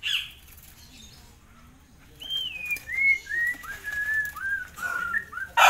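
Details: Tame forktail in 'ngitir' song, a master recording for training songbirds: after a quiet start, a run of clear whistled notes, each sliding downward, stepping lower over about three seconds.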